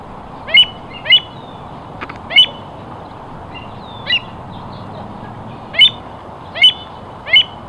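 American avocet giving sharp, high, clipped 'kleet' notes, about seven in eight seconds at an uneven pace, over a soft steady background hiss.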